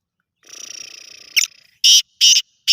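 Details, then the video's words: Black francolin: a long, low, rattling buzz leads into a sharp squeaky note. Three loud, harsh, scraping bursts follow about half a second apart. "کالا تیتر کی آواز"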